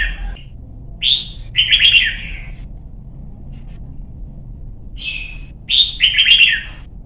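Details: Competition-training song of a young red-whiskered bulbul, white-cheeked type: a whistled rising note, then a quick gurgling cascade, repeated twice about four seconds apart against a quiet low hum.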